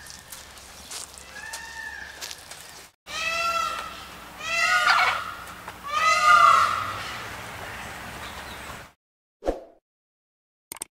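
A peacock gives three loud, harmonic wailing calls, each about a second long, rising then falling, spaced roughly every one and a half seconds, with faint hum behind.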